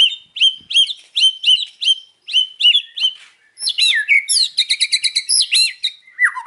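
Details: White-rumped shama singing in the afternoon, a run of loud, clear whistled notes repeated about twice a second, then a faster, richer tumble of mixed chirps and rolling phrases.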